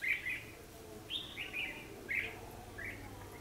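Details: Trapping recording of a red-whiskered bulbul's fighting song: four short, bright whistled phrases about one second apart, each slightly slurred, against quiet background noise.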